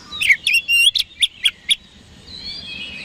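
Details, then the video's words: Oriental magpie-robin song meant to provoke rivals: a quick string of about seven sharp, bright chirped notes within two seconds, followed by a softer trailing whistled phrase. "PANCINGAN KACER HARIAN 🔥 Super GACOR Ampuh Bikin Lawan Cepat Respon"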